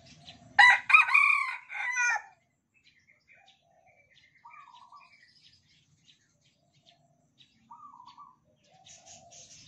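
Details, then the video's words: Red junglefowl from Sumatra, tame in its cage and answering the other cocks' crowing; a single loud, harsh, multi-part crow opens, followed by soft scattered chirps and short warbled notes from other birds. "Ayam Hutan Merah kokok bersahut-sahutan"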